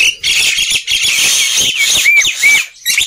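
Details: Loud black-winged myna song serving as a prompt for birds that will not sing: a sustained harsh, hissing rattle, then two clear arched whistles near the end before a final scratchy burst.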